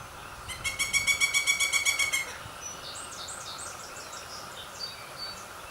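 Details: Pileated woodpecker chicks: a rapid run of about a dozen nasal, harmonic-rich notes over roughly two seconds, then scattered thin high chirps, with a steady mid-pitched hum in the background.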